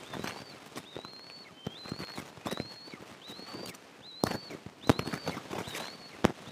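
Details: Eastern imperial eagle family at the nest, July 22, 2024, with a mother feeding her younger eaglet instead of the elder; a nest camera records a steady series of rising thin whistles, roughly one per second, over clattering handling noises.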